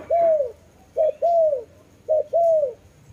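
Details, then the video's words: Three clear dove coos, each a short opening note then a longer, gently falling tone, spaced evenly about a second apart in quiet surroundings. "Lovely dove/ lovey sounds"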